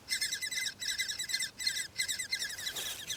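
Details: Baby woodpeckers calling from their nest in a forest in Styria, Austria, where the mother had just come in to feed them; bursts of rapid, buzzy high chirps repeated in quick pulses, roughly three per second.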